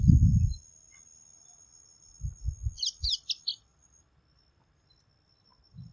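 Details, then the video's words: A Bengal bush lark gives a quick run of high, chattering chirps lasting about half a second, preceded by loud low rumbling and thudding sounds. "Calling Bengal Bush lark"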